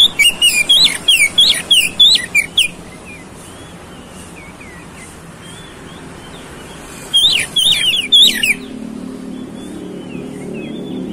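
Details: Used as a lure to provoke fighting, this oriental magpie-robin song opens with a quick series of sharp whistles. A faint warble and a short second burst follow, then a low background hum.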